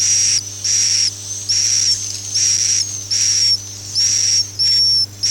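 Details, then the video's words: Akau ngaji swiftlet call: harsh, airy high bursts with a whistle line inside, each lasting about half a second and separated by short gaps, steady low hum throughout. "suara walet Akau ngaji Original"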